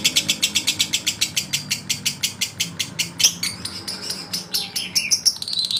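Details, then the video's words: Male lovebird singing to provoke rivals: steady, rapid high-pitched chatter pulses shifting into squeakier, more varied twittering notes toward the end. "SUARA LOVEBIRD JANTAN MERANGSANG EMOSI LAWAN"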